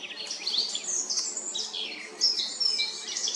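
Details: Eurasian blackcap singing in Remscheid on 10 June 2022: a fast, continuous, high scratchy warble with quick twittering notes and brief clear whistles over faint background hiss.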